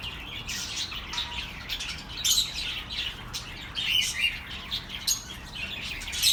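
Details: Budgerigars chattering, played to soothe lonely pet birds: dense high scratchy warbling broken by sharp chirps and a few thin whistles, louder flurries in the second half, constant low hiss beneath.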